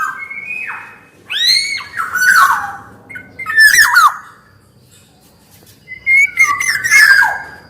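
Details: Black-naped oriole delivering harsh, cat-like squawks and falling whistled notes in short bursts, with a pause of about two seconds before a final raspy, warbled phrase.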